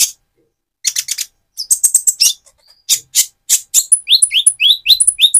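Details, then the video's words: Lively Van Hasselt's sunbird with speckled plumage, sung to excite another bird: bursts of high chirps, then a quick, steady string of short rising-and-falling twittering notes near the end. "Burung Konin trotol gacor untuk pancingan menaikan mental emosi kolibri ninja"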